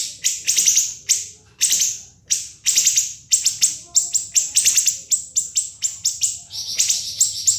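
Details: Nonstop siri-siri song used for training cage birds: loud, ringing high-pitched shots, at first spaced, then quickening into a rapid run of sharp notes and ending in a fuzzy trill.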